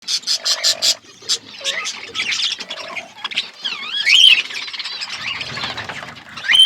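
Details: Budgerigars in an outdoor aviary, a flock chirping: squawky harmonic notes, a few wavering whistles and quick buzzy chatter overlapping, with short pauses between bursts.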